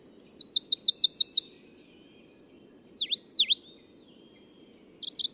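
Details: Singing male Tokara leaf warbler on Nakanoshima, Tokara Islands, Japan, 11 June 2017: a rapid run of high, zigzagging notes lasting just over a second, then two swooping V-shaped notes, then the zigzag run starting again; steady low background rumble.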